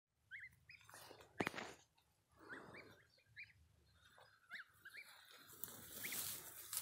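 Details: Newly hatched goslings peeping: short high rising-and-falling chirps, several per second in bursts, mixed with loud clattering and rustling knocks and a hissy noise at the end.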